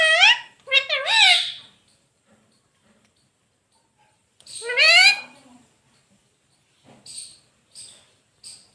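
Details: Talking pet rose-ringed parakeet: a quick burst of three or four raspy, wavering speech-like syllables, a silence, then one longer rising-and-falling syllable, followed by a few faint high clicks.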